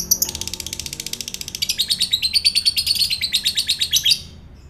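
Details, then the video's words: Fighter lovebird sound from Indonesia, played to provoke other lovebirds: an unbroken four-second stream of fast, harsh, high-pitched chattering notes, about three per second per beat, rising in loudness. "LOVEBIRD FIGHTER"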